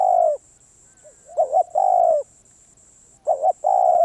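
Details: Mellow, low coos from a wild-caught spotted dove warming up its voice: drawn-out coos alternating with quick doubled notes, phrases about 1.9 seconds apart, and a faint continuous high-pitched whine in the background.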